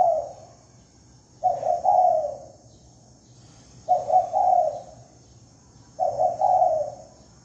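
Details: Lure call of a spotted dove recorded without background noise: three low cooing phrases, each a quick stuttered pair of notes followed by a drawn-out descending coo, repeated about every two and a half seconds.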